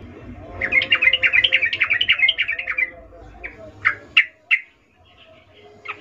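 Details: Breeding-condition female sooty-headed bulbul calling for a male: a long, dense run of rapid chattering notes over two seconds, followed by several separate sharp notes and a faint low hum.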